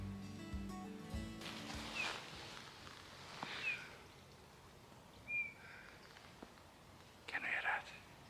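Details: A Eurasian bullfinch, very close but unseen in dense forest treetops on a clear, windless, snowy late-November morning, gives three soft, short piping whistles a second or two apart. A man talks quietly and brief music plays at the start.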